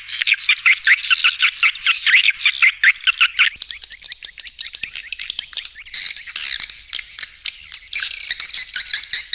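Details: Swiftlet lure sound, partly made of tested roosting calls meant to make birds nest: fast chattering twitters at first, then thinner scattered clicks and chirps, then renewed dense bursts.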